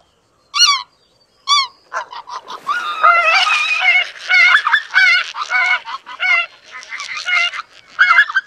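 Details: Two clear, high yelping honks start this greater white-fronted goose recording. A dense flock chorus follows, with many overlapping squeaky, laughing calls building into a continuous babble.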